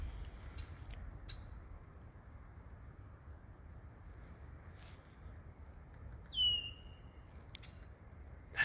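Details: At dusk on a near-freezing spring night walk at Landis Arboretum, with snow earlier that day, a Red-winged Blackbird gives one clear, high, downslurred 'tear' warning note, probably at the observer on its cattail nesting territory, over low wind-like rumble and faint clicks.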